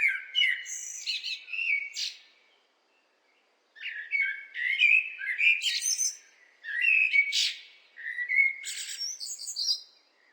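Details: Repeated blackbird phrases of rich, melodious whistles, each finishing with bright, high-pitched chirps and squeaks, separated by short pauses.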